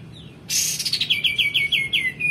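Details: Tutor song of a male white-eared bulbul for training other songbirds: a loud harsh burst leading into a fast series of descending buzzy notes, roughly ten in under two seconds.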